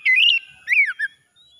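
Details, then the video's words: Short oriental magpie-robin morning phrase: a bright rising-falling whistle, then a slurred downward note and a brief chirp. "KACER PAGI PEMULIH KACER SETRES MACET BUNYI LANGSUNG CEPAT GACOR"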